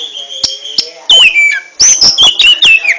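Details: Kacer, the oriental magpie-robin, in ngentrok contest song: a few soft clicks, then a loud falling whistle and a burst of quick, high, slurred notes repeated in clipped succession.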